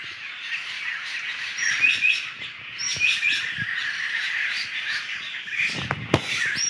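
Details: Wild laughingthrushes in a roving flock in the Sumatran forest, brief whistled chirps over a constant busy chatter of many birds, ending with a loud thump and rustle.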